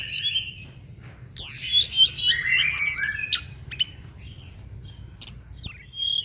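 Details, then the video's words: Mangrove blue flycatcher song: a soft warble, then a loud burst of high sliding whistles and tumbling descending notes, a pause, and a few more sharp whistled phrases over quiet low hum. "MASTERAN BURUNG TLEDEKAN BAKAU GACOR"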